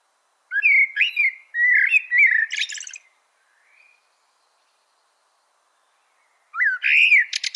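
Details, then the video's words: Blackbird (melro preto) delivering a warbled whistled phrase with quick jumps and a high rattling burst, then about three seconds of silence before another loud rising whistle starts. "CANTO DO MELRO PRETO"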